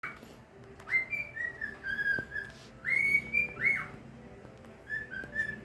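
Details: Pet bird singing to a newly arrived bird: short phrases of clear whistled notes, slightly rising then level, given in bursts about two seconds apart, with quiet room noise between.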